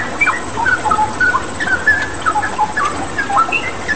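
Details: Straw-headed bulbul song on a water-therapy master recording for pet birds: clear, mellow whistles with short upward and downward slurs, run together in bubbly phrases above a steady water noise.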